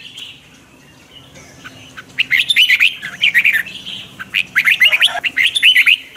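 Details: Red-whiskered bulbul singing during morning training, quiet at first, then a series of fast, twisting chirped phrases with rapid clicky notes mixed in.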